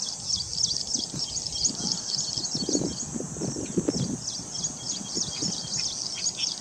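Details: A plain prinia singing in reeds: a steady stream of high, thin, buzzy chirps, repeated rapidly throughout, over low rumbling background noise.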